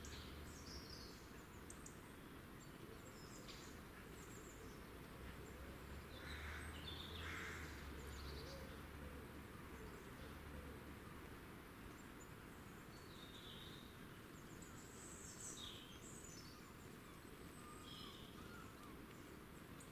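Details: Several small birds in a forest, filmed on 25 January 2019, give high, thin chirps and brief twittering phrases over a steady low forest rumble.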